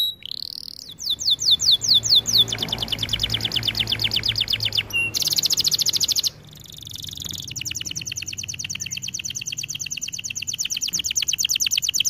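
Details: Canary song from a training recording: rapid descending whistled notes blending into long fast rattling trills, with a brief pause and abrupt shifts between trill types throughout.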